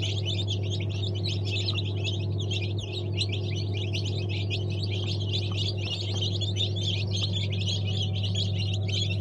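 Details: Fresh Brahma chick hatch, first of the season: many chicks keep up an unbroken chorus of thin, quick high peeps, steady in volume, over a persistent low droning hum.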